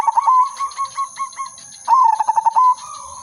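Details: Zebra dove of a silver colour strain, used for luring, in full melodious song: a quick pulsed coo trailing into separate beats, then a louder burst of staccato cooing notes.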